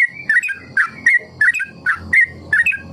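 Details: Ropel-style song of a sooty-headed bulbul, played to train young birds: clipped, burry whistled notes in pairs and singles, spaced by brief gaps, over a faint low background murmur.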